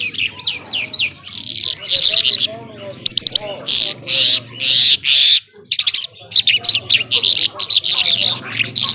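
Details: Nonstop singing by an Irani Mashadi jhal skylark: quick downward-slurred whistles, loud buzzy high bursts and rapid clicking runs, broken by brief silences, over a low steady hum.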